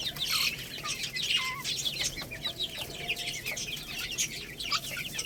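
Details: Lohmann Brown chicks, a young rooster and hen, chirp as they eat rice, giving a dense, continuous chatter of short, high peeps and a few longer falling notes over soft pecking noises.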